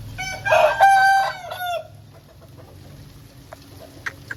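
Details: Loud, close crow of an Aseel chicken after rain, rich and harmonic and lasting about one and a half seconds. Quiet follows, with a few soft chirps and clicks near the end.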